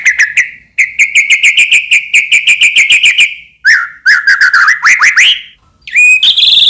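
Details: White-rumped shama song played to excite other shamas into singing: a long steady rattling trill, then rising slurred whistles and a bright high whistled ending.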